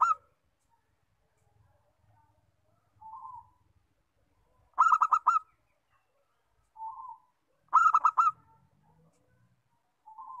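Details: Local perkutut (zebra dove), a bird used for coaxing others to sing, alternates soft low single coos with loud bursts of rapid stuttering coo notes, each burst roughly three seconds apart.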